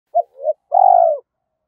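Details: Spotted dove cooing in early morning to provoke fighting and lure rivals: one short phrase of two brief mellow notes, then a longer sustained throaty coo, with no other sounds.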